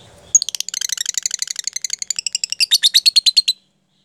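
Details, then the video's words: Lovebird in 'jeda rapat' style, played to prompt other lovebirds to learn it: a dense run of rapid high chirps lasting about three seconds, growing louder and more evenly spaced toward the end, with a faint voice at the start. "pancingan LOVEBIRD jeda rapat..ampuh untuk mengajarkan lovebird supaya ikut jeda rapat"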